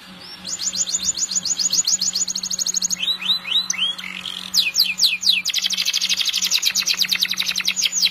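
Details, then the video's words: Long gacor master song of a canary: steady high rolling trills, a short run of upswept whistles midway, then a dense fast rattle to the end, over a constant low hum. "Masteran burung kenari gacor panjang"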